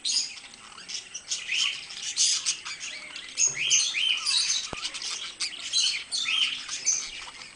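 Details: Pair of pet parakeets chattering: busy high warbles broken by short rising and falling chirps, scratchy buzzes and clicking notes, irregular and lively throughout.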